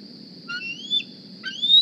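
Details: Juvenile bald eagle at the Decorah nest in the 2020 season, arriving one morning and begging for food; two thin, high squealing whistles that climb slowly then snap downward, with a low constant hum behind.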